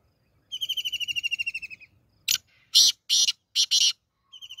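Black francolin: a fast, high rattling trill of about fifteen notes, then four or five loud, harsh, grating bursts, and the trill starting again.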